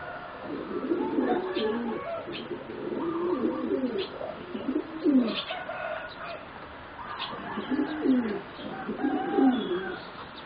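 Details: Young zebra doves about 3.5 to 4 months old, four birds bred for singing competition, give soft low rolling coo phrases in repeated bursts, with faint higher chirps from other birds behind.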